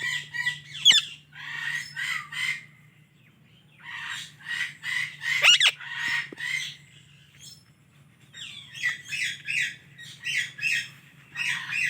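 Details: Indian ringneck parrot chirping in three bursts of rapid, harsh, harmonic notes, each burst a quick string of squawky chirps separated by short pauses, with a low steady hum underneath.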